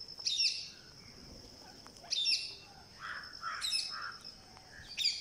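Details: Green parakeet on day 49 of being fed, begging during feeding. Sharp, high, scratchy calls burst out about every one to two seconds. Softer mid-pitched chirps come between them over a faint constant high whine.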